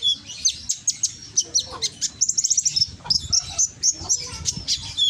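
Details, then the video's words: Konin lure song recorded on a phone in Gresik, East Java, to stir lazy birds into replying; rapid high chirps and a quick trill, then clipped whistled notes in a lively, continuous sequence. "Pancingan konin yang malas bunyi langsung emosi ikut nyaut"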